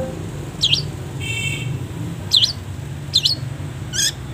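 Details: Long-tailed shrike training recording for caged birds: scattered high, twisting, V-shaped whistled notes with pauses between them, plus one buzzy burst, over a low rumbling background.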